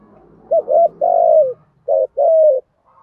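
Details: Caged spotted dove cooing in the Thúc Gù style with a thổ voice. A full phrase of a quick doubled coo and a long falling coo is followed by a shorter repeat, over a low background hum.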